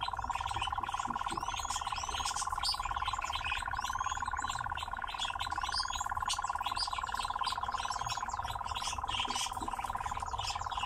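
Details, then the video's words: Nightjar in captivity singing as it dances: a sustained, evenly pulsed churring trill continues throughout, with upward-sweeping chirps and twitters of other birds scattered over it. "Пение и танец козодоя"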